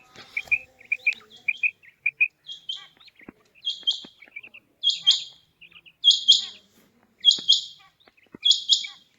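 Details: Female quail calling, first a run of quick paired whistled notes, then strong rasping triple bursts repeated roughly every second, each followed by softer clipped notes.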